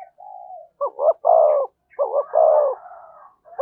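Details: Spotted dove singing in the thổ voice style with thúc and kèm phrasing: two coo phrases, each a double short note then a long rich coo. Softer drawn-out hoots fill the gaps.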